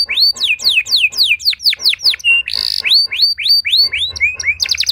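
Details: Canary singing to coax other canaries to sing: a steady run of loud looping whistles, about four per second, broken by a harsh buzz, ending in rapid chattering notes.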